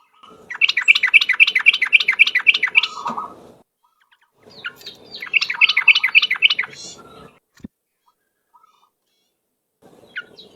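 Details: Yellow-vented bulbul ropel song used as a lure: two bursts of quick, regular chattering notes, roughly four a second, then quiet with a sharp click and scattered faint sounds.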